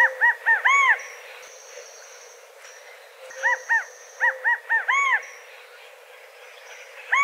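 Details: California quail outdoors giving bursts of short, arched clucking notes in groups of two to four, punctuated by a longer rising-falling note, with pauses between bursts and faint high whistles from other birds.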